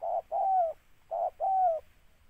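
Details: Spotted dove, tekukur, during bird catching with a decoy: two close pairs of notes, each a short coo followed by a longer, smooth, slightly falling coo.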